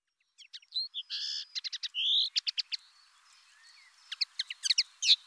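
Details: Common linnet singing: a lively, varied twitter of short chirps, buzzy notes and a drawn-out nasal phrase, with a brief pause, then another burst of quick, clipped notes. No other clear sounds.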